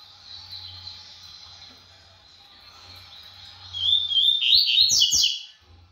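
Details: Double-collared seedeater (coleiro pardo) showing off its speed. Faint high twittering over a low, steady hum, then a loud, rapid burst of high, buzzy, tumbling notes near the end, fading quickly.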